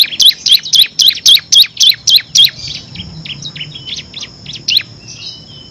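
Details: Actively singing bar-winged prinia, 'ngebren' song with six variations for tutoring competition birds: a loud series of sharp, evenly spaced high chirps, about four a second, then quieter softer notes trailing off.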